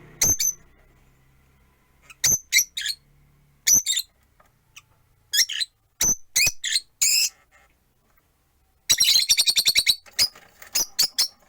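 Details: Rosy-faced lovebirds, four birds caged at a window, chirping on a perch: scattered piercing, harsh chirps singly and in small bunches, ending in a dense, fast chatter of shrill notes. A faint low hum sounds at the start.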